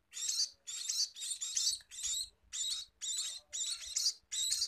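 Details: Scaly-breasted munia delivering loud, scratchy, high-pitched bursts, each under half a second, repeated nearly twice a second in a steady rasping sequence, with faint low thumps underneath.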